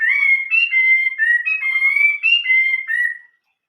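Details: Chinese hwamei giving old-forest song: a continuous chain of bright, steady whistled notes stepping up and down in pitch for about three seconds, with no other sounds.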